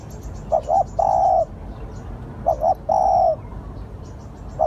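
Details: Lure spotted dove cooing: a pair of brief hoots leading into one sustained mellow coo, heard twice about two seconds apart, with faint high twittering of small birds and a quiet background.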